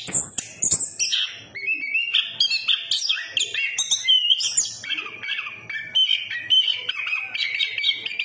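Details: Chestnut-capped thrush song: after a few high opening notes, a long chain of mid-high warbled and trilled phrases flows with little pause, with faint ticking sounds in the background.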